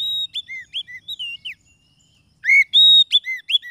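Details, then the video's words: Oriental magpie-robin (kacer) lure song used for trapping and to stir lazy singers: a string of sweet slurred whistles and clicks, a short gap, then a long steady whistle followed by arching notes. "SUARA PIKAT KACER PALING AMPUH"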